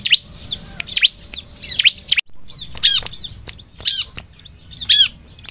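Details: Bar-winged prinia, played as a lure to prompt other ciblek into song: piercing downslurred and looping notes in clustered bursts roughly once a second, with a short break in the middle and faint background hum.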